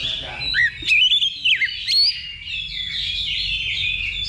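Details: Level 2 practice contest for Oriental magpie-robins before a real match: a brief run of clear whistled slurs and sharp chips, then a fading high twitter from surrounding birds.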